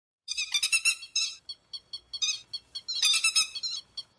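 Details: Grey-headed lapwing calls used as a lure for night net trapping: loud, harsh, buzzy bursts of rapid notes, a dense chattering volley, then shorter spaced clipped notes, then another intense burst.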